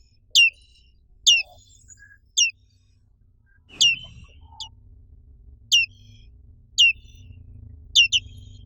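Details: A Black-capped White-eye (Zosterops atricapilla), endemic to Indonesia, gives sharp, high, downslurred notes, single or paired, about once a second, over a faint low hum.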